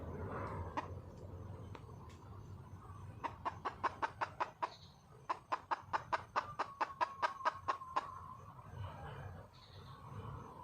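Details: Red junglefowl hen seeking a mate gives a burst of quick, crisp clucks in the middle, about four to five a second, framed by softer rustling and low murmuring noise before and after.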